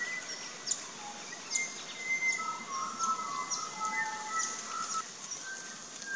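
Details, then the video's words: In an Australian backyard, a pied butcherbird gives soft, drawn-out fluty whistles that slide gently up and down, while thin, sharp high chirps of other garden birds come through every second or so. "Bird Calls/Songs/Sounds~Pied Butcherbirds~Backyard Birds Chirping"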